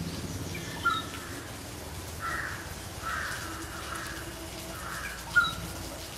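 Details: Rufous treepie giving a run of four harsh, rasping calls spaced roughly a second apart, mixed with a couple of brief thin whistled notes over a steady background hiss.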